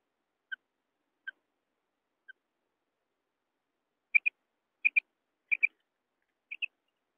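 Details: Common quail calling: three soft, high single notes spaced about a second apart, then after a pause four louder paired notes, each a quick high double chirp, in a quiet setting.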